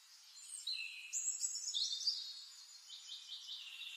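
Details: White-faced whistling ducks giving clear, high whistled notes, several overlapping, some sliding and some steady, in a rapid irregular series with short repeated whistles near the end; quiet background.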